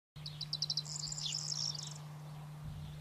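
A corn bunting sings its jangling phrase: a few quick ticking notes that speed into a glassy, rattling jingle, over a steady low hum.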